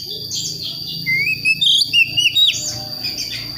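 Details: Juvenile Priangan oriental magpie-robin from the forests of West Java, learning to sing; a lone, slowly rising whistle is followed by several brief wavering whistled phrases, with a constant high hum behind.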